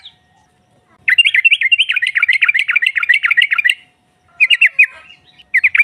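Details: Female yellow-vented bulbul calling to provoke rival birds, in the rapid ngropel style: a dense run of bubbly, chattering notes for nearly three seconds, then two shorter bursts after brief pauses.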